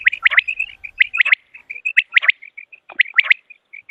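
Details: Common quail, the call used in quail hunting: quick groups of three sharp, slightly falling high notes about once a second, with softer short chirps filling the gaps.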